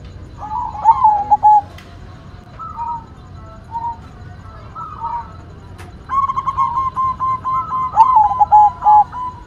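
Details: Cooing song of a white zebra dove: rolled, stuttered coo phrases and spaced soft notes, then a long bright burst of rapid repeated cooing notes near the end.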